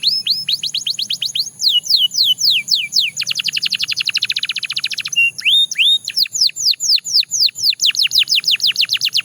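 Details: Belgian canary singing a rapid rolling song: fast repeated downward-sweeping high notes, a dense buzzy trill in the middle, then more slurred descending notes, about four per second.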